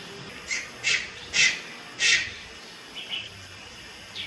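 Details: Juvenile Malayan night heron in Lugu, 30 July 2022, producing four rising-in-volume harsh squawks, then three fainter rasps, with a faint steady high tone in the background.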